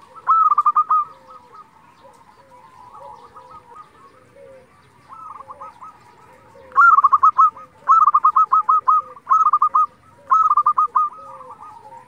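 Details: Zebra dove of local Indonesian stock in lively song, played to make other doves reply: soft, distant stuttered coo phrases, then four loud, rapid trilled phrases in quick succession during the second half, with quieter low cooing between.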